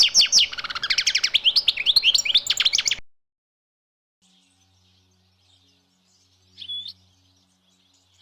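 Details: Wild European goldfinch in nature giving a three-second burst of rapid, liquid twitters and trills. It is followed by near silence and one faint, brief chirp later on.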